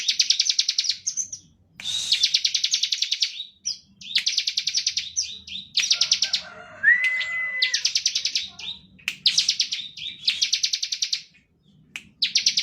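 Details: Bar-winged prinia in ngebren song, a lure recording for other prinias: repeated bursts of rapid, buzzy, metallic ticks, about a second each with gaps. A short rising then level whistle appears midway.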